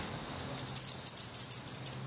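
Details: Nest of Black redstart young in Portugal, mid-May 2020, chicks' eyes open and tail feathers turning rufous: after half a second of quiet, a sudden dense chorus of high, shrill overlapping chirps runs continuously to the end.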